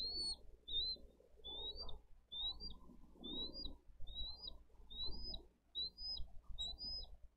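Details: Bald eagles at a live-cam nest in Dade County, 22 April 2023, as the parents bring fish and feed two eaglets. Thin, high whistled chirps rise and flick upward, repeated about every 0.7 seconds over low rumbling background noise.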